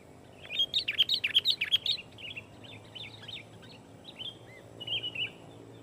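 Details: Dense, loud song of a sooty-headed bulbul used as a lure to pressure opponents and set other bulbuls singing; a rapid string of bright repeated chirps, nearly three a second, easing into looser, quieter warbled phrases.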